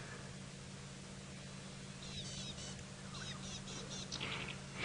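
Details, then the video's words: Rattling cisticola singing from a treetop on a morning safari drive at Djuma Game Reserve, Sabi Sand, South Africa; a series of short buzzy rattling notes in quick bursts from about two seconds on, against steady low vehicle hum. "Yes, there we go. You can hear its call, typical rattling cisticola call. There we go, giving us a nice little song this morning."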